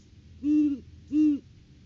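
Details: Great horned owls visiting their nest tree in the pre-season courting period, January 9, 2023, live nest camera: two even, deep, steady hoots about half a second apart, each lasting roughly a quarter to a third of a second.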